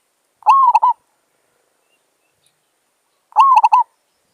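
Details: Zebra dove (merbok) near a village: a pair of brief cooing bursts, each opening with a rising tone and breaking into rapid clipped coos, separated by about three seconds of quiet.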